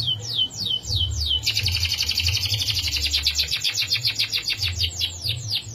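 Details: Canary in long rolling song: a few quick sweeping chirps give way to a sustained, rapid, shimmering trill lasting around four seconds. A low rumbling hum is audible throughout.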